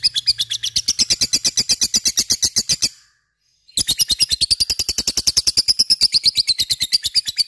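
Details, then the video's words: Lovebird chattering its ngekek in a fast, shrill stream of chirps, pausing for under a second, then picking up again at the same rapid pace. "pancing LOVEBIRD supaya cepat ngekek fighter dan gacor"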